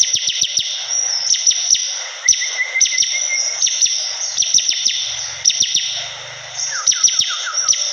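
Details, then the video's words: Lively Bar-winged prinia song made of many sharp descending chips in fast clusters, with a brief lower whistled trill near the middle and a steady piercing background hum. "Suara burung ciblek kristal || prenjak gacor"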